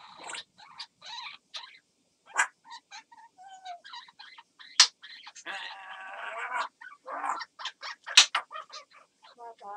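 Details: African grey parrot producing special crow-like sounds: irregular bursts of harsh, buzzy and tonal notes, some richly layered, a few sharp clicks, separated by brief silences across ten seconds.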